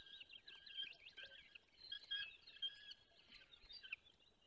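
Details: Young peregrine falcon in the Barycz Valley, Poland, 1 June 2022, slipping off a branch: a continuous harsh, screechy wailing call with a steady high tone and rough overtones, swelling into louder bursts near the middle and toward the end.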